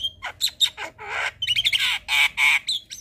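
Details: Evening black-winged starling song used to train young birds: short chattering notes giving way to loud, broad, harsh screeching squawks, strong and raspy, ending with a thin whistle.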